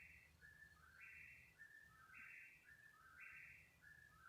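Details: Unknown bird heard at 3 in the morning during a roughly thirty-minute bout; bright whistled phrases stepping between a high note and two lower tones, recurring about every second, with a steady low rumble underneath.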